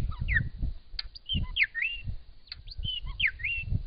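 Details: A Grey shrike-thrush in Australia sings a run of clear, ringing whistles with quick rising and falling slurs and short upswept notes, over a low rumble of wind or handling.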